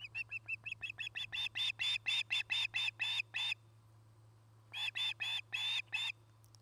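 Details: Osprey at a camera-watched nest in Charlo, Montana, recorded 09-08-2018, where a pair nests near a Great Horned Owl family. Sharp whistled chirps run in a fast series, speeding up and swelling, then pause before five more. A steady low hum lies beneath.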